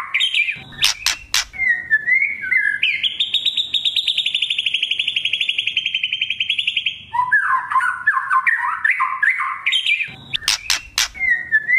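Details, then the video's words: Oriental magpie-robin song: varied loud whistles and sharp clicks open and close the phrase, framing a long, fast, buzzy rattling trill held for about four seconds, followed by jumbled chattering notes. "Pancingan murai trotol agar ngeplong"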